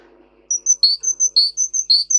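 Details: Russian singer canary singing for training canaries: after a faint murmur, a quick, rhythmic string of very high, clear chirps with deeper slurred notes every half second.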